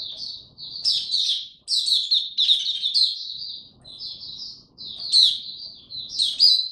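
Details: Oriental white-eye being brought into form, singing its 'buka tiong aw' style, recorded 3 January 2022: bursts of high, twittering notes with quick slurred chirps, separated by short pauses.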